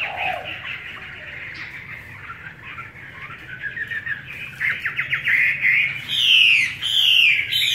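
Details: Chinese hwamei, forest-voice singer on homemade feed, starting with soft, muffled warbling that grows into louder rapid trills and bright down-slurred whistles near the end.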